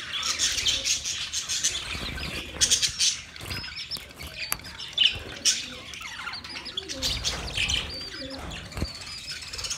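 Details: Mating chatter from budgerigars: a steady wash of thin, high chirps and rasping warbles runs throughout, with a few brighter squeaks standing out near the middle.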